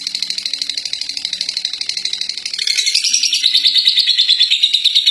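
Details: Champion contest lovebird in ngekek, the long chattering song: a fast pulsed shrill chatter that grows louder and rises a little after the midpoint, with a faint low hum in the background early on.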